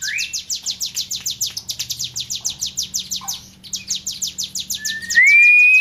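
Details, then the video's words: Hill prinia, a tame bird, in energetic song: a rapid, steady run of sharp high descending ticks, briefly pausing, then resuming, with a long rising pure whistle at the close. "CIBLEK GUNUNG JINAK GACOR-KLOWOR"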